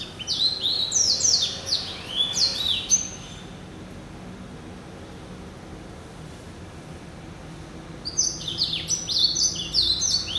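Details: Captive male Yelloweye × Timbrado hybrid finch, hatched November 2012. Two phrases of rapid, high, sliding whistled notes tumbling downward. A quiet pause of several seconds separates them.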